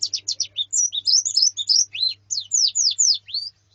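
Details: White-eye females and colony calling, used as training sound for a singing male: rapid high chirps and downward-slurred whistles tumbling over each other in a busy chorus, with a steady low hum behind.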